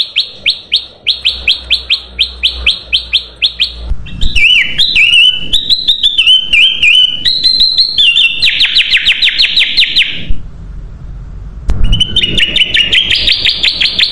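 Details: Sooty-headed bulbul (kutilang emas) recording used as a lure to draw in other birds: rapid trains of sharp repeated chirps, then warbled, wavering whistled phrases and buzzy chattering runs, with a short quiet gap before loud whistling resumes.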